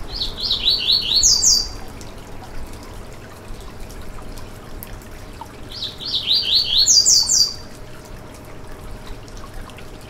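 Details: Coleiro baiano (Yellow-bellied seedeater) song played to excite another bird: two matching phrases about five seconds apart, each a quick series of swept whistles ending in high buzzy notes, hiss between.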